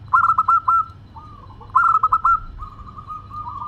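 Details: Singing local zebra dove with a crystal-clear voice delivers two clipped, rattling coo phrases a little over a second apart, each trailing into a lower rolling trill, with quiet cooing behind.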